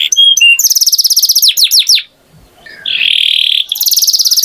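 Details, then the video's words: Canary singing: loud buzzy trills and rapid rolled notes, a brief pause, then a long steady whistled tone followed by more fast trilling. "Canary Singing Beautifully"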